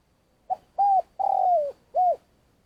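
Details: Spotted dove in Vietnam, a decoy bird used for trapping, gives a long calling song of soft, mellow, low, hollow coos: a brief note, a short coo, a longer drawn-out falling coo, then a final short coo.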